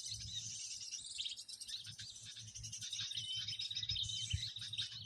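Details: Noisy bird chatter used as a lure for bird trapping: dense, continuous high twittering and chirping from many birds at once, shrill and busy throughout, with soft low thumps underneath.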